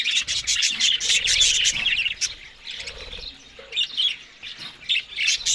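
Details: Green food being eaten in the morning by Australian budgies; a fast busy volley of chirps and chatter at first, then softer, sparser warbles and occasional sharp chirps.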